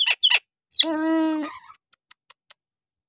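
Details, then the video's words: Two quick sharp whistles from a Nias hill myna, then one long nasal, buzzy honk. A few faint ticking clicks trail off at the end. "jalak nias gacor!! buat terapi jalak nias bahan atau yg malas bunyi agar gacor kembali"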